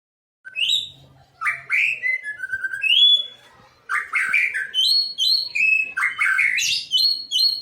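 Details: White-rumped shama song, a relaxed but provoking performance meant to make other shamas sing along: clear whistled phrases, rising and falling slurs and high ringing notes in bursts separated by short pauses.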